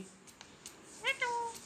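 A parrot utters one short, nasal, voice-like phrase that slurs down and then holds a level tone, almost meow-like, over faint clicks and room hiss.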